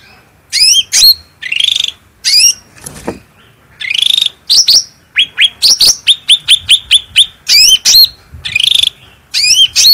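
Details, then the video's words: Long, loud phrase of cucak rante bulbul song meant for luring and training birds. Buzzy scratchy notes and rising hooked whistles mix with a quick series of repeated short clipped notes midway, all clear against silence. "Cucak Rante Gacor Suara Bening Power Tebal"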